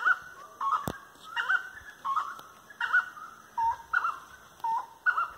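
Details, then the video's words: Grey-cowled (grey-necked) wood rail, called "Três Potes", giving a firm song of loud, hollow mid-pitched notes in quick rolling phrases about every second, while walking tree-lined paths on 25/03/2022 at 18:30; faint background hum. "Canto da Saracura 'Três Potes'"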